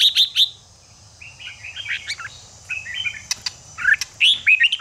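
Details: Red-whiskered bulbul song used to fire up other bulbuls kept for cage contests. Sharp high chirps open the clip. Short warbled phrases follow, wavering in pitch. The clip ends with bursts of clear whistled notes over a steady faint hiss.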